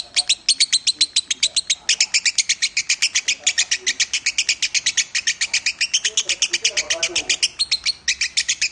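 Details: Lovebird song in the Minor style, used as a training recording for other birds: fast, dense run of sharp high chirps repeated about four times a second, steady throughout, with faint low murmurs underneath.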